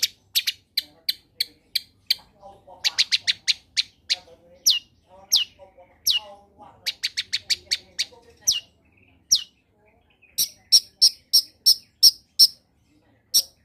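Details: Long-tailed shrike (cendet) song used as a lure to prompt silent caged shrikes to sing: series of sharp, high ticking notes in fast bursts, some pausing, with a final run of loud repeated chips; quiet lower chatter underneath.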